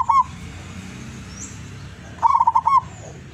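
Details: Wild-caught zebra dove from Tuban, East Java: a short rolling coo followed after a pause by a burst of five quick trilled coos, with a steady low hum behind.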